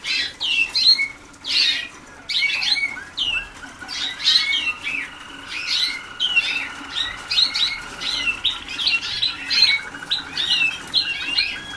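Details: Several young Waterslager canaries early in song schooling deliver dense runs of sharp high chirps and short trills, phrases tumbling every second or so, with a steady thin whistle-like tone running underneath.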